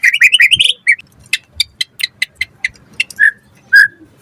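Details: White-rumped shama in full, lively song, used as a lure to prompt other shamas to reply: a rapid run of rising whistled notes, then spaced sharp chips and a clear drawn-out whistle.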